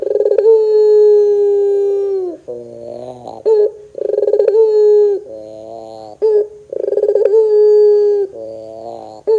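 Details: Lure song of a puter pelung (Barbary dove). Three long drawn coos, each begun with a pulsed flutter, are separated by softer low murmurs and short sharp notes, repeating in a steady cycle.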